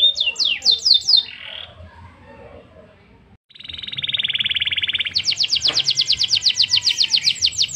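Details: Canary in long song: a short burst of falling whistles, a quiet gap, then a sustained buzzy trill followed by a fast, high rattling series of repeated notes.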